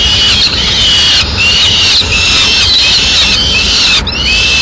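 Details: Peregrine falcon family in Madrid at feeding time, the male tearing up a swift for the chicks; piercing, slightly wavering squeals repeat in long strands with irregular short pauses.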